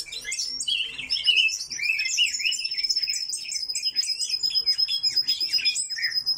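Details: Several coal tits kept in an aviary, giving dense overlapping thin, high chirps and short twittering notes, with a steady high whine running through the middle part.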